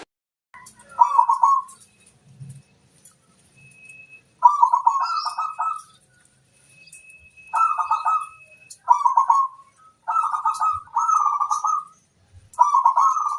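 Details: Local zebra dove's lure song to prompt wild birds into answering: a long series of brisk, bubbling coo phrases repeating every second or so, with a faint thin whistle tone in the background.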